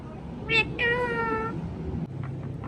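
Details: Rose-ringed parakeet, kept as a pet, talking: two harmonic-rich nasal syllables, the second drawn out and slightly falling, followed by a few faint softer notes.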